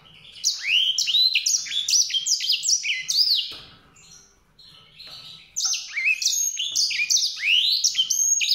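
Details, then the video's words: Lively canary-like warbling from a White-rumped seedeater, fast high chirps and upslurred whistles, breaking off briefly in the middle before resuming just as energetically. "song canário-de-sobrebranco, Weißbürzelgirlitz, Edelzanger, kanárik sivý, zvonohlík šedý, greysinger"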